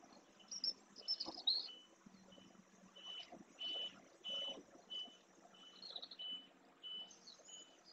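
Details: A single whinchat feeding on a dry lagoon bed in the Doñana National Park marshes, Spain, perhaps on passage or wintering. It gives a series of short clear whistled notes at a steady pitch, repeated about every half second, mixed with higher thin chirps.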